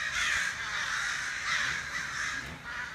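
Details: Crows outside a back door giving rough, drawn-out caws that overlap almost continuously, loud and hoarse.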